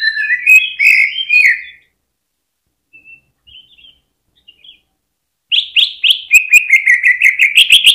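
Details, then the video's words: Cucak ijo, greater green leafbird, singing on a hanging stand as a lure to make other birds sing: warbled phrases, a near-silent gap with faint notes, then a fast series of repeated chattering notes. "PANCINGAN CUCAK IJO BIKIN NGENTROK FULL HYPER DI GANTANGAN"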